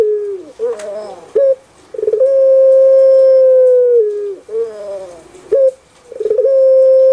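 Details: Kept puter pelung dove, a type famous in Indonesia and especially Java, singing its typical cooing song: short throaty rolling notes, then a long, steady, drawn-out coo held for about two seconds, the whole phrase repeated twice, in a small room.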